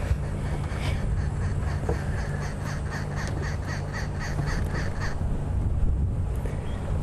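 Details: Crested francolin calling right beside a safari vehicle on an evening drive on 1 November gives a loud, strident, rattling call of harsh notes repeated rapidly for about four seconds, over a steady low engine rumble.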